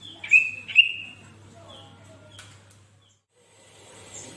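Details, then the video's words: Sooty-headed bulbul in lively singing form, its voice meant to be played beside kept bulbuls to set them singing: two loud, clear whistled notes in quick succession, each with a short rising then level tone, followed by near silence and faint hiss. "Suara Burung kutilang Gacor//Tempel Suara Kutilang ini Dengan Burung Kutilang kalian"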